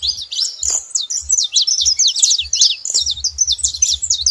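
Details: Several saffron finches singing at once, a dense chatter of sharp high chirps and quick slurred notes over faint low thumps.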